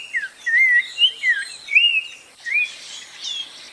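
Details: Mellow whistled song of a spot-breasted oriole: looping, warbling notes that rise and fall, run closely together, then a pause and one more rising whistle, with soft high bird chatter behind.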